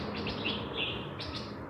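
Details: Streak-eared Bulbuls calling at a local birding patch in Chiang Mai, Thailand, near the airport: a quick run of short, sharp chirping notes in brief bursts over a steady hum of ambient noise.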